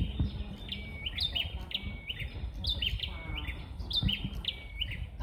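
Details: Two bar-winged prinias answer each other as if competing over whose song is louder: bright, high chirped phrases of quick stepped notes, repeated about once a second, over a low background rumble.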